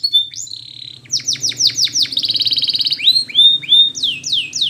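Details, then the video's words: Training song of a Spanish Timbrado canary, opening with a steady held whistle, then repeated downward-sweeping notes, a fast metallic trill and rising looped whistles, with faint low hum beneath. "Spanish Timbrado Song For Training"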